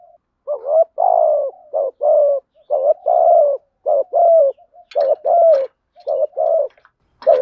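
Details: Spotted dove used as a decoy, cooing steadily to excite wild doves; a long run of low hollow paired notes, each short rising coo followed by a longer falling one, with light clicks near the end.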